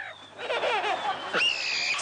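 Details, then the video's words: Parrot mimicking a baby's laughter: a quick wavering burst of bubbly notes, then a sharp rising squeal held as a thin whistled tone, over steady background hiss. "Parrot makes baby sounds"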